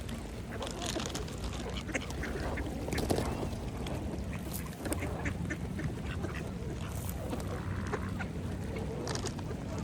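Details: Mallards feeding at a pond: busy dabbling and splashing clicks, mixed with scattered low quacks and a steady background rumble.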